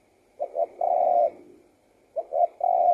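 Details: Spotted dove cooing: two phrases, each with two short quick coos followed by a long, steady, mellow note, separated by a pause of about a second.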